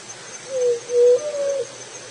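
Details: Juriti dove singing one low, hollow three-part coo: a short falling note, a louder steady middle note, then a longer level note, with faint background hiss.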